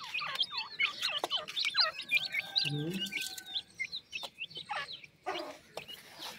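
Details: Grey francolin chicks calling: a busy run of high, thin peeps that swoop down and up, several overlapping in quick succession, with a brief low voiced sound midway and clicking handling noises.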